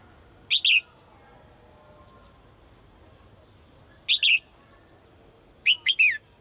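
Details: Female bird calling the male in three bursts: two quick double chirps, then a final phrase of three rapid high notes, with long pauses between and soft background noise.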